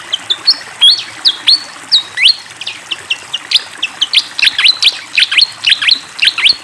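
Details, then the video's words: Fantail in full, lively song by flowing water: a long run of crisp, high, downslurred and upswept chirps, spaced at first, then quickening into dense clusters, over a faint continuous trickle. "SUARA BURUNG SIKATAN KIPASS GACOR DENGAN SUARA AIR MENGALIR"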